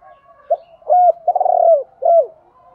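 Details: Spotted dove cooing, male and female voices, used to stir up trained birds: a short soft note, a clipped coo, then a long burry, rolling coo sliding downward, and a final falling coo.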